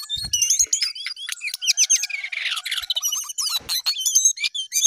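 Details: Jongkangan pouring out busy song, quick descending chirps and buzzy notes, a brief harsher rasp in the middle, then more rapid high whistled phrases.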